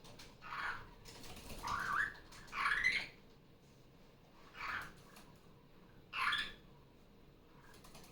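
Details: Pet female superb parrot, loud again on a Sunday morning after coming off her nest: short, harsh, rasping squawks spaced a second or two apart. Barraband parakeet videos play on a tablet in the background.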